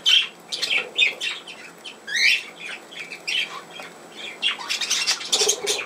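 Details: Budgerigar giving quick high chirps, squawks and short rising whistled notes in rapid irregular bursts, with brief pauses between phrases.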